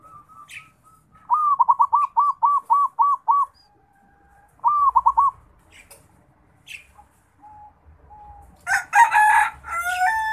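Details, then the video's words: Local Bali zebra dove learning to sing: a rapid string of about eight bouncy, arched coos, then a pause and a shorter run of three. Quieter fragments follow, and a louder, harsher burst of notes closes. "Perkutut Lokal Bali, Suara Burung Perkutut belajar berbunyi"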